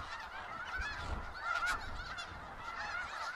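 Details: Snow geese flock in Skagit Valley, overlapping honks and higher yelps throughout, with a noticeable low rumble near the start.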